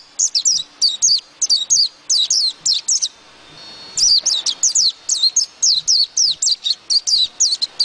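White-eye singing a fast, high twittering series of thin, sweet notes in quick bursts, with a brief pause before the chatter resumes.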